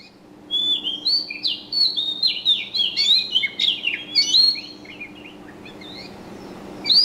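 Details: Birds chirping in bursts of quick high, sliding twitters and whistled notes, densely overlapping from about half a second to four and a half seconds, then a quiet pause before a final sharp note; faint low steady hum underneath.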